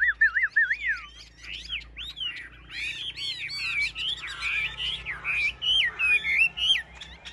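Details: Competition song of a caged Chinese hwamei: looping, liquid whistled notes rising and falling, delivered in quick bursts, then a dense run of sharp chirps and warbled phrases.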